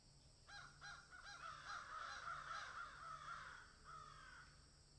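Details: Rapid harsh cawing from a crow that found something on a tree, three distinct caws running into a dense rasping series, then trailing off over steady outdoor hiss.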